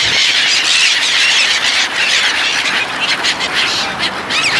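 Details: Gulls crowding in while people feed them, a loud unbroken chorus of shrill squeals and squawks from many birds calling over one another.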